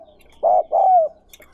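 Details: A single spotted dove phrase from a recording meant for training newly caught birds: one short soft coo, then a longer mellow note that slides slightly downward, in a quiet setting.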